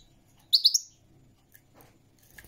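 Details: European goldfinch giving three quick, sharp high chirps in close succession, followed by near silence with faint rustling and a low background hum.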